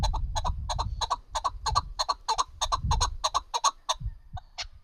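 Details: Hunting chukar partridge calling: a steady run of paired, clucking chuck notes, each with a ringing harmonic overtone, repeated about one and a half times per second, over low rumbling background noise.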